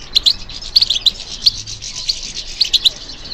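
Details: European goldfinch twittering in response to stimulation, giving crisp high chirps in small groups, with clusters near the start, middle and end and softer notes between them.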